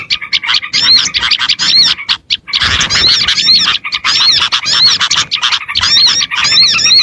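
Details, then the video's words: Small birds called in by a lure track: rapid, overlapping squeaky chirps and curved whistles pour out almost nonstop, with a short lull partway through before the busy twittering returns. "AUDIO SUARA PIKAT BURUNG KECIL PASTI LANGSUNG NEMPEL DAN DI SERBU"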